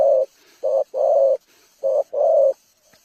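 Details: Spotted dove song used to lure birds: low mellow coos in a short-long pair, a pause, then another short-long pair, over a quiet background.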